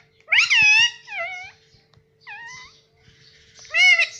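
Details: Talking pet ringneck parrot in a small room, saying 'mitthu': a loud, strained rising-falling syllable, then softer wavering notes, a pause, and another loud squeaky word at the end over a low hum.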